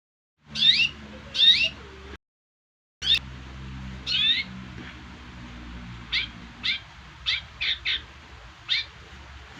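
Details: Long-tailed shrike song built from short, sharp notes falling from high to mid pitch. Two harsher phrases open it, then after a brief gap come quick single notes spaced unevenly, set against a low steady hum.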